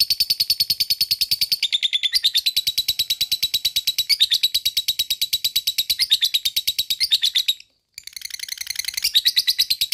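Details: Lovebird giving its long ngekek trill, played to stir other lovebirds into excitement and song: a dense, fast chattering run of sharp high notes, briefly broken by silence near the end before resuming.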